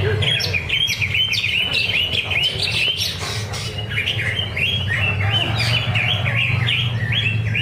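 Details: Greater green leafbird at a bird-singing practice contest at Danau Bumi Restu, Cikunir. Rapid, irregular bursts of sharp chirps and short upslurred whistles, roughly two per second, with a steady low drone behind.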